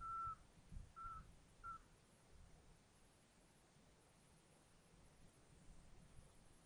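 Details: At a Eurasian scops owl nest holding five owlets in Tiszaeszlár, Hungary, filmed by nest camera on 19 June 2022, three brief whistled hoots come about half a second apart, then only faint background hiss.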